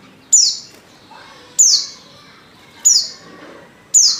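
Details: Female Oriental white-eye calling to entice males to sing: four high, thin descending notes repeated about every 1.2 seconds, clear over a quiet background.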